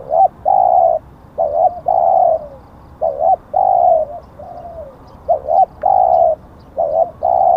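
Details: A decoy spotted dove repeats low, soft coo phrases for over seven seconds, short wobbling notes alternating with long steady coos, plus one quieter note gliding downward.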